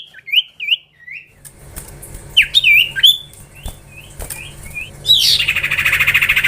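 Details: Common iora song in a chattering style: a few looping whistled notes, then softer curling whistles over a background hiss, ending in a loud rapid rattling buzz.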